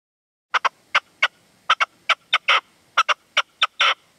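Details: Partridge and its decoy (reclamo) at sunset in the sierra at Manzanares on 27 February 2014, with the wild male refusing to approach. Sharp, broadband chuck notes come in uneven pairs and singles, about fifty a minute, with a few longer harsh notes.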